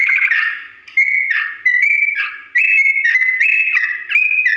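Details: Sooty-headed bulbul delivering its slow, long ropel song, a recording for birds to copy: short bursts of level whistled notes switching between pitches, separated by small pauses at the beginning, then running more continuously.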